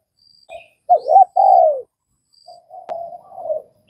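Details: Spotted dove, Vietnam: a partial phrase of two arched notes and a long falling coo, followed by soft murmured notes and a sharp click.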